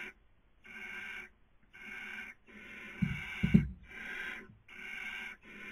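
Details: Barn owl in the 2020 breeding season on a nest webcam in Cabañeros National Park, Spain: repeated harsh hissing bursts with brief pauses, broken in the middle by a few loud thuds.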